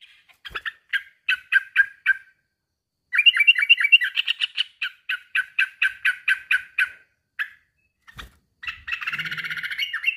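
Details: A rival-directed call from a male sooty-headed bulbul: spaced chirps, then a dense run of rapid chattering notes. A brief knock is heard, followed by a fuller, jumbled twitter at the close.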